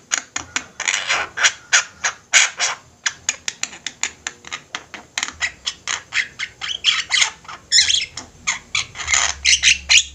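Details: Flock chorus of Javan mynas in full voice, meant for training birds: continuous rasping, scratchy squawks repeated quickly for ten seconds, growing busier and overlapping toward the end.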